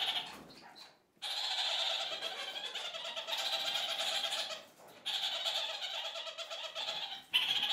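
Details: Several kakariki communicating as a flock with rough, grating cackles in long bursts broken by two short pauses; the chatter the birds strike up several times daily.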